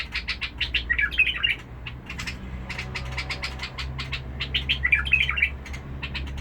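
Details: Bulbul from Basra with a harsh vocal tone delivers two rich gurgling warbled phrases, each led in by rapid chirping notes, over a steady low background hum.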